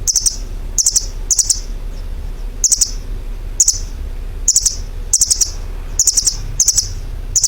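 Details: Bird giving brief, shrill, fizzing chirp bursts made of quick ticking notes, with pauses between bursts and a constant hiss underneath.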